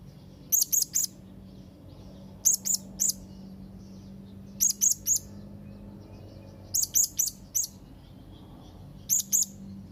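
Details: Young blue-crowned hanging parrot calling to rivals: thin, very high, sharp chirps in quick bursts of three to four, one burst roughly every two seconds, over a faint steady low hum.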